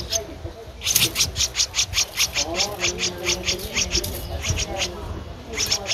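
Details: Streak-eared Bulbul chick, 13 days old, Ubon Ratchathani, Thailand, mid-April 2023: a loud burst of quick, shrill, evenly repeated chips, several each second, fading briefly before a final cluster, over faint hum.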